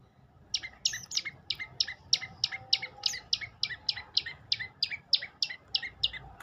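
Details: Olive-backed tailorbird pouring out a long, even series of about eighteen high, sharp, hooked notes, roughly three per second, over a faint background hum.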